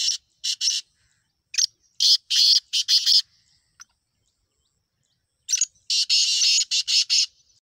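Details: Black francolin uttering rough, grating note clusters. An opening pair of notes leads into a quick run of five rasping bursts, then a pause and a longer, louder sequence of six coarse notes. Otherwise the surroundings are quiet.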